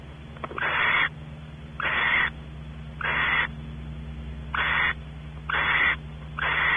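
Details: While a male barn owl explores the nest cavity at a California ranch and the female anticipates mating, six harsh hissing bursts sound about once a second, each rough and noisy, above a continuous low hum.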